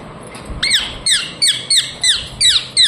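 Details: Pet rose-ringed (ringneck) parakeet giving a rapid series of shrill, squeaky chirps, about three per second, each sharply falling in pitch.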